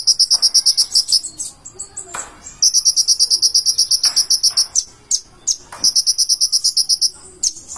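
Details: Purple-throated sunbird (konin) singing in energetic 'gacor' style with full 'isian': long, fast, even trills of high metallic pulses, about three per second in the loudness pattern, broken by a few sharp chips and short gaps.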